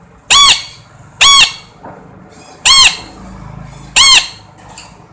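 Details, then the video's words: Four loud, piercing parrot screeches, each rising then falling, arriving every one to one and a half seconds over a faint low indoor hum. "suab noog yeeb kub quaj zoo heev tiếng vẹt keu"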